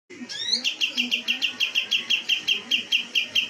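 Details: Kapas tembak, the cream-vented bulbul, a contest songbird, singing: a rising run of sharp notes, then a fast series of bright, clipped chirps repeated about five times a second, steady and loud throughout.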